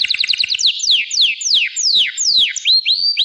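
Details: Gloster canary song: a quick run of short repeated chirps, then a string of loud downward-sweeping whistles about every third of a second, ending in rising whistled notes.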